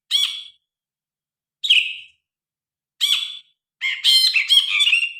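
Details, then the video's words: Grey-cheeked bulbul, recorded on a phone, gives short harsh chattering phrases about every one and a half seconds, ending in a longer burst of rich warbled notes; no other sounds. "Burung brinji kelabu gacor. Masteran burung.Suara burung brinji kelabu"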